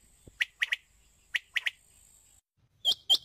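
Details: A female rain quail, recorded in the morning, gives short, sharp chirping notes, mostly in quick pairs, with a thin steady hiss behind them.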